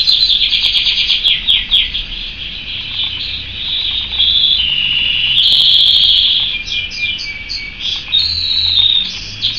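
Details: Caged pet canary in full song, loud high rolling trills and sustained buzzy tours changing pitch, ending with short repeated chirped notes.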